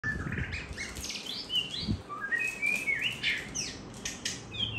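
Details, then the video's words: White-rumped shama singing while a child plays with it: varied clear whistled phrases, some sliding and some steady, shifting between mid and high pitch, with soft low rustling beneath. "chòe hót đá tay"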